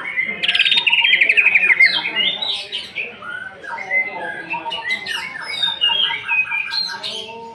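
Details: A captive greater green leafbird (cucak ijo) sings a competition-style "nembak" song used to provoke other birds: a fast, varied stream of sweet whistles, chirps and buzzy trills, about four notes a second, mostly high-pitched.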